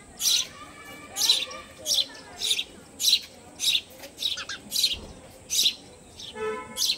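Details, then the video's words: House-dwelling sparrow chirping rapidly, around eleven loud, high, scratchy chirps in seven seconds at an irregular quickening pace, with a brief low voiced sound near the end. "Sparrow Bird in my House"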